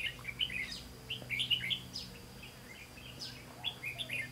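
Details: Red-whiskered bulbul at a trapping site on 18 September 2016. Short, bright, warbled phrases of chirping notes come in quick bursts throughout, over a faint steady hum.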